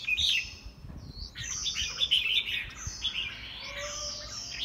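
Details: Caged white-rumped shama in a home bird singing match in Vietnam, delivering varied clear whistled phrases and rich warbles, some sweeping up and down, with short pauses between bursts and a faint low background rumble.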